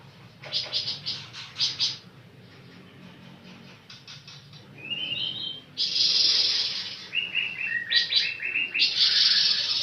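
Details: Rapid stuttering notes, a rising whistled glide, then extended coarse buzzing and rhythmic chirp runs from a singing pancawarna bird.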